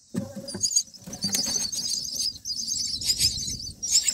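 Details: Baby mynas in a nest, nine days into feeding, giving thin, raspy high-pitched squeaks in irregular clusters, with scuffling and light tapping sounds below.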